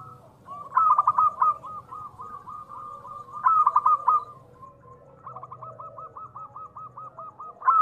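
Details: Local zebra dove giving its call, played to stir other doves into calling: emphatic clipped coos open each phrase, then a steady run of soft, evenly spaced rolling notes, repeated three times.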